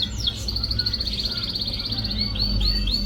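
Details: Canary lure song for a bird reluctant to sing, one fast, even, high trill of rapidly repeated notes, then a few separate upswept whistles, over a low rumble.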